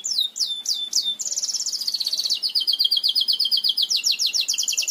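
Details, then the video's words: Belgian canary song used to teach canaries to sing: loud high trills, a few downward-sweeping notes then a long fast rolling trill of rapid repeated syllables, clear and close. "CANTO PARA ENSINAR CANÁRIOS BELGAS"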